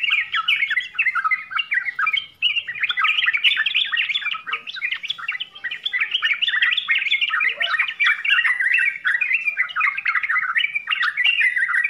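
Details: Sooty-headed bulbul, trucukan, in extended full song: dense, rapid babbling of warbled and chirped notes continuing for many seconds with barely a pause.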